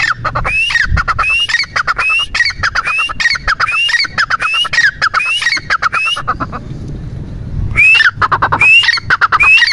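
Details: Teetar partridge giving a repeated call, each a short upward-sliding whistle trailing into fast chattering pulses, about once every 0.8 seconds, pausing near the sixth second before resuming; low background rumble.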